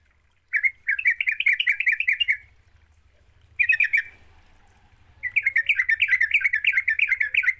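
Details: Sooty-headed bulbul in busy 'gacor' song, played as a lure for a bird that is slow to sing: three bursts of quick, scratchy chirps, the last one long, over a steady low hum.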